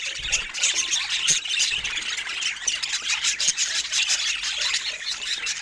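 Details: Several budgerigars, said to be rare, warble and squawk nonstop. Harsh, high chirps tumble over one another at a rapid, uneven pace, with no spoken words or music.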